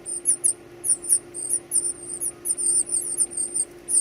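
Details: Baby birds clamour while being fed, giving dense, overlapping high squeals and chirps almost without pause.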